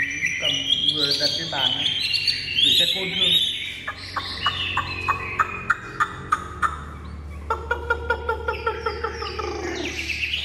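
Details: Chinese hwamei, a fully tame bird in stable singing form, delivers varied high warbled phrases, then a series of sharp rhythmic clicking notes, then more rich warbling.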